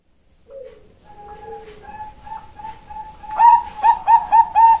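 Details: Female zebra dove (perkutut bangkok) kept at a bird farm in Kebumen, Central Java, Indonesia: soft low coos build into a run of loud, evenly spaced whistled coo notes, about four per second, near the end.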